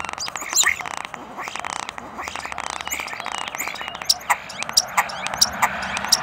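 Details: Very close common starling giving its mating call, taken with a Zoom recorder: scratchy, buzzy chatter at first, then a series of crisp high clicking notes repeated every half second.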